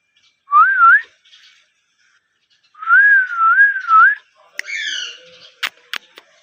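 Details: Pet rose-ringed parakeet whistling: a pure wavering whistle that undulates up and down twice, a longer warbling whistle, then a buzzy chattering note and a few sharp clicks.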